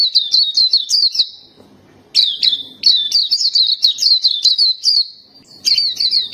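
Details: Kept black-capped white-eye in full song: fast, high twittering phrases of jumbled chirps and trills, broken by short silences, with soft low rustling behind.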